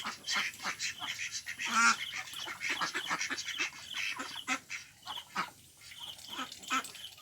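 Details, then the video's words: Several ducks at a pond, Mandarin ducks, Mallards and Pekin ducks, quack in a busy, overlapping chorus of harsh, nasal calls, repeated many times a second with short pauses between bursts. "Ducks Quacking"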